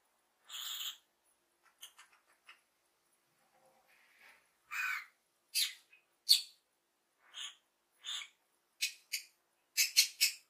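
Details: Happy lovebird parrot chirping: a series of sharp, high, squeaky chirps and short screechy notes, sparse at first, then coming faster in quick clusters toward the end.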